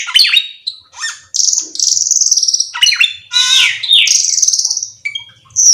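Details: Varied black-winged myna song of sharp sliding whistles alternating with extended buzzy, rattling phrases and a loud squawk.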